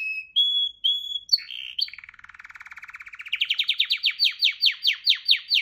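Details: Canary singing two long steady whistles, a brief chattering phrase, then a low rolling trill that climbs into a fast series of loud, sharp descending notes.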